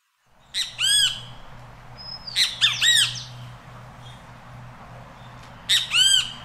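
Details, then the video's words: Great kiskadee in Costa Rica calling while feeding: loud harsh arched notes in bursts of two to three, repeated every couple of seconds, over a steady low hum. "Great Kiskadee Calling and Feeding"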